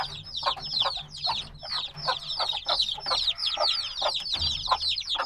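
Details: A brood of black baby chicks, only days old, chirps noisily: continuous shrill, falling peeps from several birds at once, strong calls about two or three per second.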